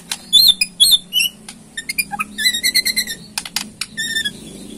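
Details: Borneo white-rumped shama giving its ketrekan to provoke a reply: varied high warbled notes, short trills and clicks packed together, with a low hum behind.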